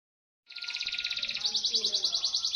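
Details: Local canary, a fast-singing bird used to tutor magpie-robins, delivering a sustained rapid high trill of pulsed notes for about two seconds after silence, with faint lower sounds underneath.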